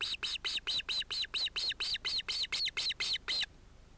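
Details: Osprey at a nest with two ringed chicks, probably males, on 31 July 2018, as a chick interrupts the adult pair; sharp, harmonic chirping notes repeated about twice a second in a steady run of fourteen, then silence.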